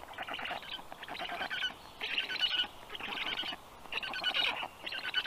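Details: Black stork storklets, three surviving young, at feeding time in the nest, 15 June 2022 evening; loud raspy wheezing bursts repeated roughly once per second, each lasting about half a second.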